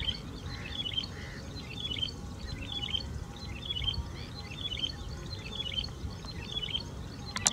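A yellow-bellied prinia gives short, chirpy, slightly buzzy phrases about every half second, steady and repeated, over low rumbling background noise.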